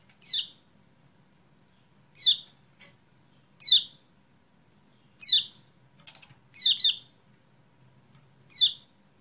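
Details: Kecial kuning used as a quick lure (pancingan) to make a silent or lazy bird start singing: high, sharp, downward-slurred chirps, some doubled, given in short bursts about every one to two seconds over a faint low hum.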